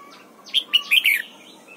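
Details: Red-whiskered bulbul singing in the morning during song training for the double-note style. A brief, bright phrase of four warbled notes rises and falls, with faint chirps before and after.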